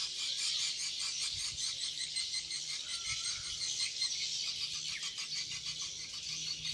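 Swiftlets twitter in a dense, continuous chorus of high, rapid chirps and clicks with no pauses, like a crowd calling at once.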